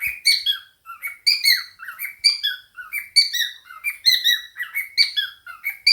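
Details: Pet cockatiel kept indoors with budgies, chattering and singing: a steady stream of short, bright, harmonic chirps and whistled notes, several sliding downward, about one per second, with no other sounds.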